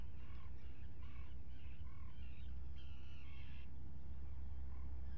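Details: Common guillemot colony with two freshly hatched chicks, recorded by a live camera on 27 June 2020; short arched calls repeat about once a second, followed by a longer harsh, buzzy note, over loud low rumbling.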